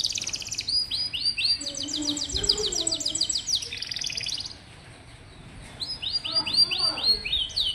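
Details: Canary song played to prompt young, lazy or rarely singing canaries to respond and sing: rapid, high, rolling trills of repeated notes in quick series, a brief quieter pause midway, then trills resume.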